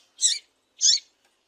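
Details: Female double-collared seedeater call, used to stir males into singing: two short, harsh, buzzy chip notes about half a second apart, followed by silence.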